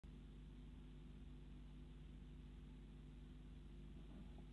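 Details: Steady low rumbling hum like a running engine, with constant background noise and no animal calls.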